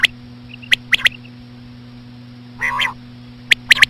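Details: Slow female quail calls meant to draw in common quail. Crisp high clicks in pairs and threes frame a single rasping, harmonic note midway. Brief soft chirps are heard, with a constant low hum behind.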